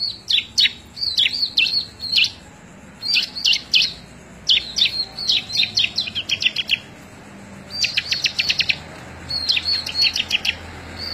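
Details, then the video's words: Chatty bar-winged prinia, May 2017, recorded to train other birds: a long sequence of high whistled phrases and dense stuttering chip series, repeated with short pauses over eleven seconds. "CIBLEK GACOR COCOK BUAT MASTERAN"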